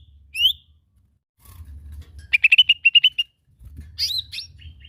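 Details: Lesser green leafbird song used as a lure to set off other birds: a high upward-sweeping whistle, then a quick run of about ten even chirps, then thin rising notes, over a faint low hum.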